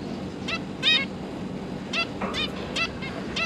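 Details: Zebra finch parents tending three juveniles, 31 October 2022: sparse, moderately soft nasal honking calls, a few in quick pairs, over low background hum.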